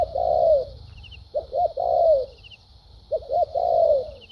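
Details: Decoy spotted dove in a cooing duel: long, mellow, downward-curving coos, each followed by a pair of short clipped notes, in a slow repeating cycle over a steady high hiss.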